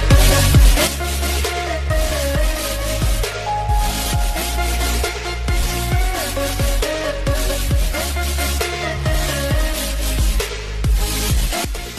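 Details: Heavy electronic dance music with a thumping bass beat fills the whole recording, and no animal voice comes through.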